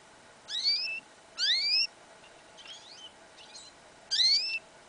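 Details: Goldfinch and canary hybrid, yellow isabel, heard outdoors in a field in winter: three loud rising whistled slurs, separated by softer faint chirps, over a steady low background hum.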